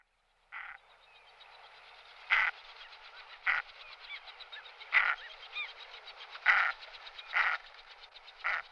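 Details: Common merganser calls: harsh, rasping croaks in short bursts about once a second, over a steady background of softer chattering calls.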